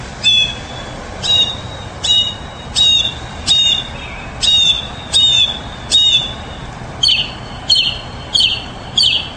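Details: Mockingbird giving a harsh, scratchy note repeated about once per second, roughly a dozen times, the last few becoming fuller and buzzier, over a low constant hiss.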